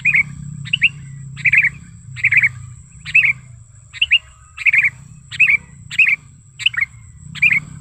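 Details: Wild-sounding sooty-headed bulbul call used as a lure and for tutoring caged birds: a lively run of brisk, tumbling chirp phrases, each a few quick notes, coming nearly every half second, with a faint low rumble and a constant high whine.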